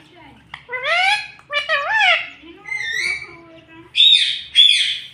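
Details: Talking pet parrot mimicking words in a series of wavering, voice-like syllables. Two sharp, high squawks close the sequence, with short pauses between the phrases.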